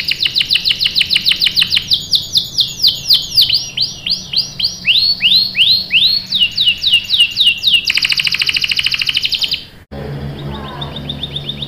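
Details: Canary in full song, used as a lure so other canaries reply with rolling song: fast clipped chips give way to repeated arching swoops, then a dense buzzing roll, a brief pause and softer high trilled notes.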